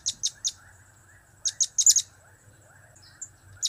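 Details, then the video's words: Blue-crowned hanging parrot (serindit) giving cap-cap, kiak-kiak and crap-crap calls: three evenly spaced shrill chips, a pause, a quick tumbling run of five high notes, then one last chip. "Trio Cap²/Kiak²/Crap² Semakin Gacor"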